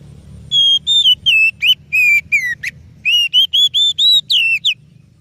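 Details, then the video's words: Oriental magpie-robin song used as a lure for other birds: a rapid string of clear, pure whistled notes, some flat, some sliding down or sweeping up, closely spaced over about four seconds, with a low steady hum underneath. "Suara Burung Kacer Yang Sangat Indah,Cocok untuk Pancingan"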